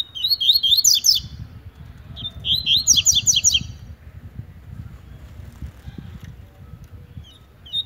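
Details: Double-collared seedeater, a rustic brown-plumaged bird, singing in competition: two quick bursts of high, rapid, sweeping chirped notes, each about a second long, separated by pauses, over a low steady background rumble.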